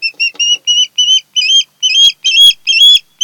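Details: Osprey couple at a Kent Island, Maryland nest, camera recording, 10 August 2018: an excited run of loud whistled chirps, short at first then longer with upward flicks, repeated over two per second, with faint knocks behind.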